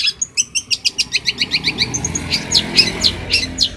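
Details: Long-tailed shrike champion singer from Banyuwangi, used for tutoring caged shrikes: fast, evenly paced string of bright, high chips that runs into louder, harsher rising notes and squeaks.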